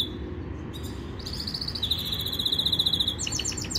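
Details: Yorkshire canary singing a powerful training song: a soft high note opens, then fast ringing trills and rapid rolled pulses repeat several times a second over a steady low background hum.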